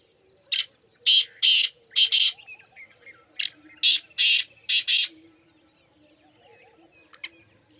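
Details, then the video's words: Partridge call: strong harsh notes in two rhythmic clusters of about four, followed by quiet and a faint distant note near the end. "muskie teetar ki awaaz"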